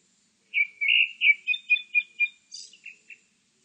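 A grey-backed thrush sings a brief phrase: two clear whistles, a quick run of five chirps, then a high buzzy note and soft trailing twitters. No other sounds.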